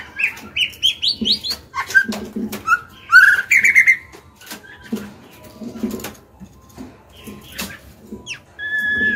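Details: Female White-rumped shama singing to provoke males into song: quick rising whistled notes stepping upward, then a warbled phrase, over a steady background of low cooing pigeons or doves.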